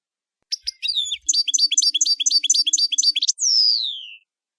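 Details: A European goldfinch sings in camper style: scattered chirps lead into a fast, tinkling twitter, and the phrase ends with a long, clear, descending whistle. Faint clicks can be heard near the start.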